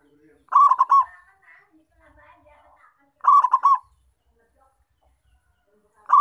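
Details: Zebra dove of local Indonesian stock, a lively caller used to lure and trap wild perkutut. Three soft, throaty cooing bursts, each a quick run of three rounded notes, repeat roughly every three seconds with faint murmuring in the gaps.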